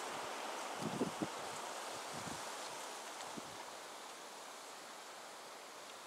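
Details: Wind and rustling leaves fill an outdoor scene with a few soft low thumps and no animal calls.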